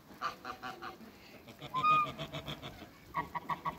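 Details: Backyard African and Toulouse geese, freshly released from a crate alongside other waterbirds, honking in short harsh notes, with a clearer drawn-out call near the middle and a quick run of honks at the end.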